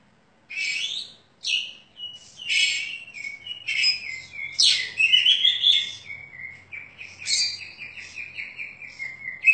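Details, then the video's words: Prize-winning caged Oriental magpie-robin in its daily routine, vocals described as crystal and sharp; continuous flow of bright whistles, chattering trills and long buzzy slurred phrases. "SETINGAN HARIAN KACER PRESTASI "LUMBA-LUMBA" GACOR, FULL ISIAN VOKAL KRISTAL, ISIAN MEWAH DAN TAJAM"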